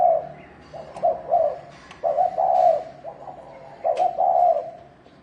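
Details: Spotted dove's fight-rousing thổ đồng coo: soft, low hooting phrases with stuttering opening notes and sustained coos, sharp clicks scattered between, over a faint steady hum.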